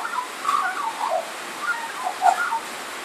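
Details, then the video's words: Australian magpie singing under a tin carport roof during rain: brief warbling, bubbling notes in quick succession, the mellow phrases set against a continuous hiss of rainfall. "Magpie Singing"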